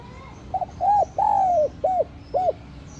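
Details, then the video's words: A spotted dove's enticing call meant to attract wild doves and spur cooing: clear, mellow phrase of two short hoots, one long downward-sliding coo, then two more short rounded notes. "TIẾNG CHIM CU GÁY Giọng Hấp Dẫn ( GỌI BỔI + THÚC )"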